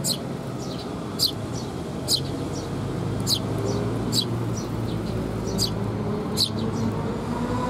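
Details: Eurasian tree sparrow fledglings being fed by their parents, recorded 6 May 2021: short, sharp high chirps repeated roughly every second, over steady low traffic rumble in an urban setting.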